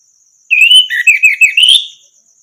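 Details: Orange-headed thrush song meant to train other birds to sing: a long whistled phrase of smooth gliding notes, stepping through several slurred syllables and rising at the end, with a quiet insect hiss behind.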